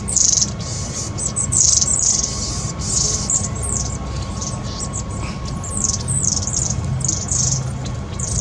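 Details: Long-tailed tits squabbling among their flock, recorded 26 April 2021, give very high, thin, twittering calls in quick bursts every second or so, over a low steady rumble and faint hum.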